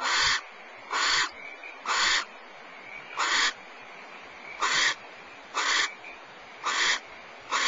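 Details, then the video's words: Barn owls exchanging food, the male and female trading prey back and forth, giving harsh, breathy hissing screeches, about eight in seven seconds at an uneven pace, over faint background hiss. "Barn Owl - Food exchange with Mr Owl"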